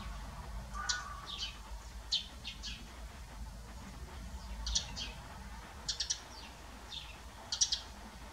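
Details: Tree sparrows inspecting a bird box once used by nesting blue tits; clusters of bright, clipped chirps and short descending notes repeat every second or so through the stretch, against a quiet low hum.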